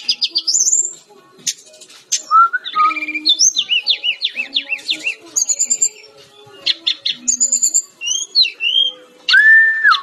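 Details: Brown-chested jungle flycatcher in masteran song: varied bright whistles, rapid repeated chirp runs, trills and rising-falling slurs, ending on a sustained arched whistle.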